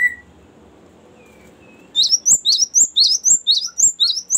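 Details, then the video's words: Cinereous tit in long rolling "ngerol panjang" song, meant for luring and training birds. A soft whistle and faint background give way to a brisk, regular series of high, sharp repeated notes. "ngerol panjang sangat bagus untuk pancingan gelatik batu dan masteran"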